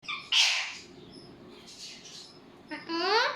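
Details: Talking parrot: a harsh, bright squawk-like utterance near the start, a softer breathy phrase in the middle, then a strongly harmonic, rising-and-falling voiced sound at the end, like mimicked speech, in a small indoor room.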